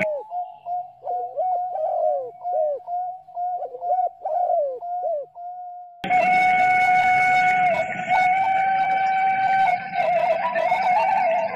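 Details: Spotted dove cooing, praised as melodious: low soft coos repeated rapidly and unevenly for about six seconds, then a long steady hum with music-like tones takes over and masks the bird.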